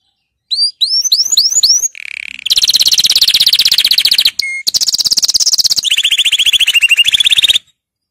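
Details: Canary song used for training: rising whistled chirps repeated in a quick series, then a buzzy low trill and long rapid rolling trills, with a brief pure whistle between them.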